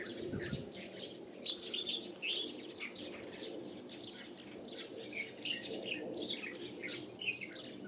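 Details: Light-vented bulbul chatter from 16 April 2023: a steady stream of sharp chirps and twittering notes, some rising, some falling, with a brief low rumble near the start.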